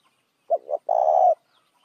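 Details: A single lure call of a spotted dove used to draw in other doves: a short double note leads into one drawn-out, steady, throaty coo lasting about half a second.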